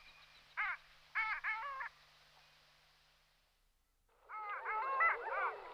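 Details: Long-tailed duck calling: short bursts of two or three nasal, harmonic notes that bend downward, a brief lull, then a denser run of overlapping, wavering calls from more than one bird.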